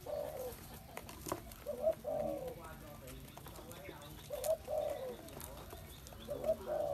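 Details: Spotted dove delivering low, soft coo phrases roughly every two to three seconds, a short lead note then a longer hollow coo, with light background rustling.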